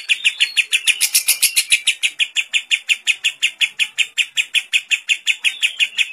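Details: Lovebird training song with kapas tembak fill-in, a long ngekek chatter: brief burst of shrill higher notes, then a sustained run of harsh chirps nearly three a second.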